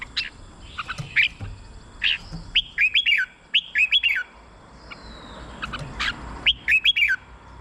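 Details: Red-whiskered bulbul singing, used to stir up caged birds: clear, bright whistled phrases of three to four bouncing notes, repeated several times with short pauses between them.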